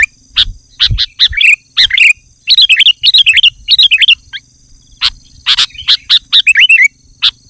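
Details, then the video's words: Male sooty-headed bulbul calling a rival in the afternoon: loud, sharp chirps followed by quick bubbly phrases of warbled, rolling notes, bursts coming in clusters with short pauses between, over a faint steady high whine. "Suara Burung Kutilang jantan Memanggil lawan di sore hari"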